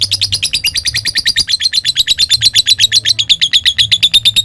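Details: Lovebird giving ngekek song to provoke rival birds: an unbroken rapid chatter of high, harsh notes, about seven per second, steady in loudness throughout, with a faint low hum beneath.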